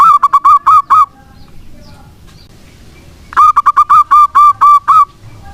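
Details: Local zebra dove in persistent song, used to prompt silent doves: the tail of one cooing phrase, a pause, then a fresh phrase of quick notes slowing into longer, evenly spaced coos.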